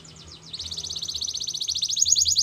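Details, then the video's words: Canary song used for training other canaries to sing: rapid repeated high trills, each note sweeping and buzzy, speeding into a dense rolling series over a soft low hum. "Canary Seducing Friends To Sing"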